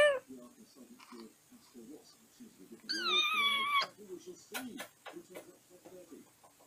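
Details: Pet African grey parrot settling in its cage at bedtime, babbling in low, speech-like murmurs, broken midway by a loud, drawn-out, meow-like whistle, then more soft chatter and a few sharp clicks.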